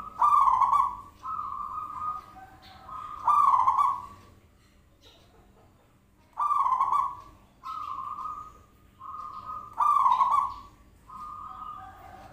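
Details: Zebra dove cooing as a lure: rhythmic pairs of loud vibrating coos and clear level whistles, in two runs split by a short quiet gap.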